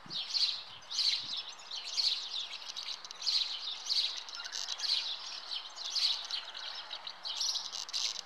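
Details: Common house martins at the nest: bursts of high chirping and twittering, repeated roughly once a second in rhythmic pulses, with faint background noise.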